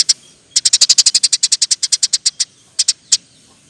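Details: Eurasian tree sparrow singing vigorously in the rolling, rapid-fire 'ngeroll nembak rapet' style, recorded as training and lure material for birds. A lone chirp is followed by a dense run of about seventeen sharp, high chirps, then three more after a pause.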